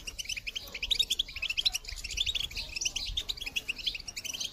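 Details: European goldfinch recorded in 2022 singing a calling song intended to motivate other birds: steady, rapid high twitter of many small chirps over a soft background hiss.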